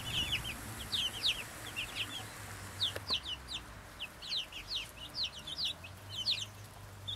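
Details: A small, contented flock of Brahma chickens makes clusters of quick, high, down-slurred peeps in uneven bursts, with a single sharp knock near the middle and light background hum.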